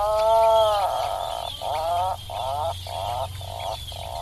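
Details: Atlantic puffin uttering a string of short, nasal moaning notes, each about half a second long with small gaps, over a low steady hum.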